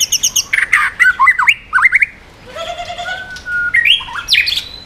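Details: White-rumped shama in 'yến reo' song style, switching voices to provoke other birds: fast high chips, then harsh squawky notes and swooping whistles, a steady level whistle mid-clip, and bright rising slurs to finish.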